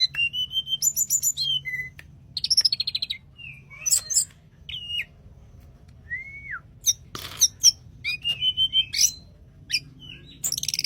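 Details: Tledekan gunung singing actively in a flute-like style, with clear whistled notes, short upslurred and downslurred whistles, and rapid buzzy trills and chirps in varied phrases across the clip; a faint low hum lies underneath.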